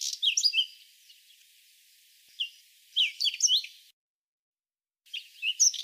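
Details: Whinchat song: short bursts of scratchy, chattering notes mixed with clear whistles, delivered in quick phrases with brief pauses between them; a silent gap before a final phrase. Background is quiet, with no other clear sounds.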